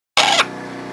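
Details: A happy red-lored amazon making cheerful noises gives one loud, harsh, raspy squawk lasting about a quarter second, followed by a low electrical hum in a small room.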